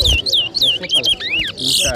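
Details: Chestnut-bellied seed finch, called towa towa locally, whistling at a 2023 competition in New Amsterdam, Berbice, Guyana: loud pure downslurred whistles repeated quickly, then an upward sweep and a buzzy burst, with people talking faintly behind.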